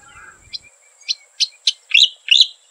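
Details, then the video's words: Striated grassbird calling in a short series of crisp, high chirps about half a second apart. The notes grow louder, and the last ones become rich, slurred phrases. "Striated Grassbird"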